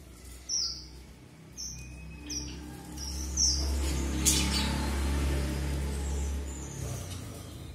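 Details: Red avadavat giving short, high, thin squeaky notes in quick bursts, some rising slightly, over a steady low hum that runs through the recording.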